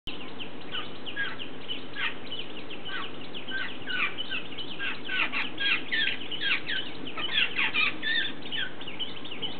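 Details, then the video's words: Jungle babblers at a bird table: harsh grating chatter in rapid overlapping bursts as a fledgling that can already fly begs insistently while several adults feed it communally, over a steady low rumble. "Communal Feeding of Tantrumatic Baby-Babbler"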